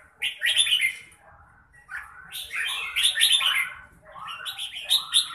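Red-whiskered bulbul giving three bursts of bright, warbling notes, each about a second long, fluty and chattering, with short pauses between.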